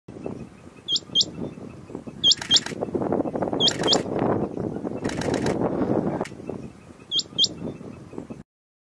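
A rain quail gives sharp, high, metallic paired notes, 'which-which', repeated every second or so over a steady rumble of wind or distant traffic.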